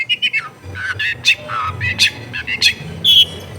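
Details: Long-tailed shrike, a caged bird kept in a densely populated home area, giving a varied song of short harsh squawks and clear whistled notes mixed with mimicked phrases, loud bursts every fraction of a second, low household hum beneath.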